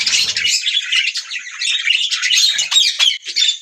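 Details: Budgie parrots in a busy chorus, a continuous tangle of shrill chirps, chattering warbles and squawky notes layered on one another with no gaps.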